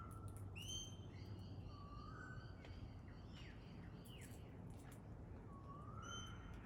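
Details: Pale-headed rosella: stacked, ringing high whistles and quick downslurred notes early on, then lower rising whistles near the middle and end, with scattered clicks over a steady low rumble.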